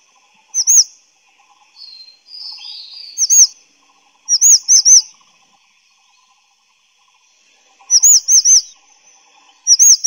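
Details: Grey-chinned minivet giving high, sweet arched whistles in tight clusters of two to four notes, repeated at irregular intervals, with a softer slurred note between the clusters.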